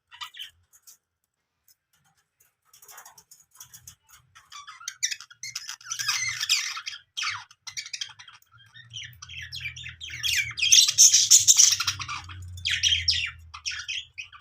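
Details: Budgerigars in a happy, playful mood chatter with rapid, scratchy warbles and sharp chirps, building to a busy, overlapping din.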